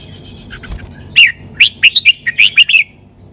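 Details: Red-whiskered bulbul in the 'sai beun' song style, delivering one lively phrase of about eight short, bright, rolling whistled notes in rapid succession after a soft opening chirp.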